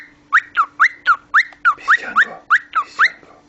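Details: Cockatiel kept as a talking pet repeating quick whistled chirps, alternating upward and downward slides, roughly four per second and steady throughout. Faint murmuring is heard in the middle.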